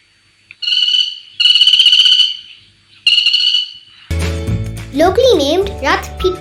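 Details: Crimson-backed flameback (greater Sri Lanka flameback), a woodpecker endemic to Sri Lanka, gives three harsh, buzzy rattling bursts of about a second each, followed by music and a voice speaking.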